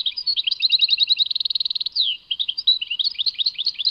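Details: Tinkling European goldfinch song at Tadmait. Jangly twitters surround a rapid, buzzy trill, followed by a descending slur and more quick, varied chirps.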